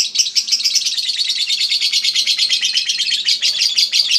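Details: Contest-winning caged lovebird called Eagle Head giving ngekek chatter, a bright, rapid series of sharp high notes run together into a continuous rattle.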